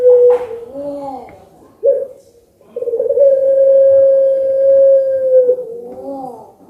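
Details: Puter pelung collared dove, a bird judged fit for competition, calling anggungan. It gives a brief rolling coo, a short gurgle, then a long steady tone held for nearly three seconds, trailing into a soft wavering bubble.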